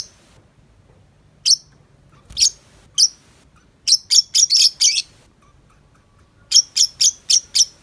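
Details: Free of the cage, a tame lovebird chatters nonstop in the 'ngetik' style: scattered raspy chirps building into quick runs of five rough notes, about four per second, with short gaps between.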